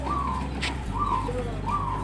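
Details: Zebra dove (perkutut) of the daringan kebak type, compared as farm-bred versus wild local, giving soft, arched, mid-pitched coos, three in a row about every 0.8 seconds with a lower note between, over a steady low hum and one brief click.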